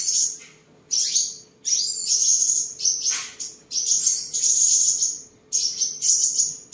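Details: Caged seven-colour sunbird, Tân Phú district, Đồng Nai, Vietnam, 23 July 2022, singing while displaying and sparring: bursts of high piercing twittered trills with sweeping downward slurs, each phrase about a second long, broken by short silences.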